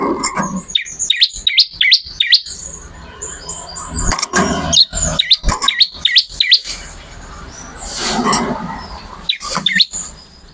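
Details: Bar-winged prinia singing vigorously, a tutor recording for training songbirds: rapid bursts of sharp, high chirps with steep downward strokes, loose and irregular, with a short hissy rush near the end.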